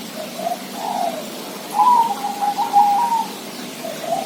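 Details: Zebra dove song: soft opening coos, then a dense burst of quick trilled cooing notes that fades to a final soft coo.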